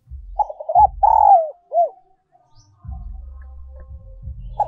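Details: Spotted dove decoy coo in the 'giọng còi' ('giọng kim') style: a choppy start, a long slurred descending coo and one short rounded note. Low rumbling thuds are heard throughout and continue after the phrase.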